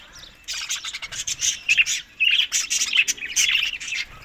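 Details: After a quiet start, budgerigars eating summer food break into busy, grating chatter with choppy squawks and chirps that rise and fall in short runs.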